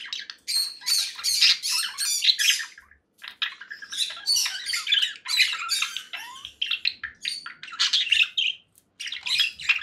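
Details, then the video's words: Nearly continuous grating squawks from conure parakeets, strings of loud raspy calls with a brief pause near the middle and a short falling note among them. "conure parakeet sounds"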